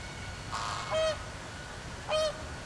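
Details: Captive flamingo flock at Philadelphia Zoo, circling together and flapping their wings in a group display; two loud nasal goose-like honks about a second apart stand out over a soft background murmur.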